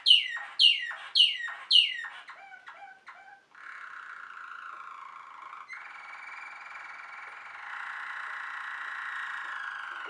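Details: Waterslager canary, a Belgian song canary known for bubbling, stream-like tones: four descending whistled swoops, a few quick notes, then a long continuous rolling trill lasting several seconds.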